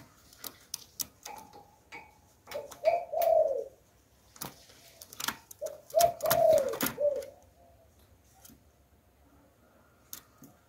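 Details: Decoy spotted dove singing in the Hạp Bổi voice style to draw wild doves. Two low, mellow, slightly wavering coo phrases about three seconds apart, among scattered clicks and taps indoors.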